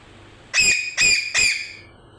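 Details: Parrot making noise: three harsh, buzzy squawks in quick succession, each rich in overtones and under a quarter second long, against a quiet background.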